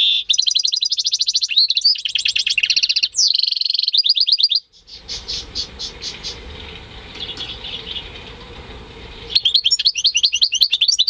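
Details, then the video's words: European goldfinch × canary hybrid bred at home and recorded in May 2015: long runs of rapid, high, rattling trills and twitters, a quiet gap with only faint chirps and hum, then the trilling resumes. "Saka Melezi Ötüşü"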